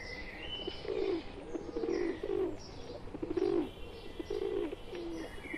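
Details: A flock of wild pigeons joined by a pet pigeon, low throaty coos repeating about every second, over a steady background of thin chirping birds.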